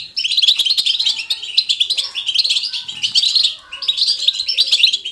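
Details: Caged European goldfinch in lively natural song: a dense, fast stream of liquid twitters and tinkling chirps running nearly continuously, with a short pause near the end.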